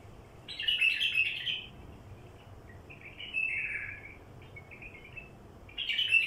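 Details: Wild bulbul song for luring wild bulbuls: a full, bubbly warble, a gliding mid-length phrase, a few short notes, then another loud burst at the end, over a faint hum.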